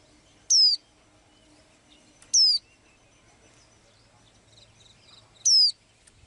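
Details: A blue-eyed small bird, which sings daily, gives three shrill whistles that slide downward, at irregular gaps of about two and three seconds, over a quiet background.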